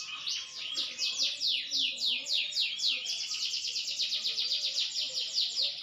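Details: Song of a maturing green canary: a run of loud downward-sweeping notes flowing into a rapid, steady rolling trill, with faint low background murmurs.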